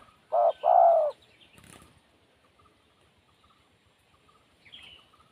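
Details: Wild spotted dove opening with a brief coo and a longer drawn-out coo, then near silence with faint distant chirps and a soft rustle.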